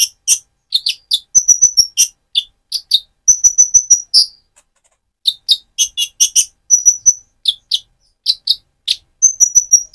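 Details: Spotted-plumaged Van Hasselt's sunbird in full song, used to stir up and stimulate another bird; rapid clusters of thin, high chirps alternate with pure whistled notes held briefly, in bursts separated by short silences.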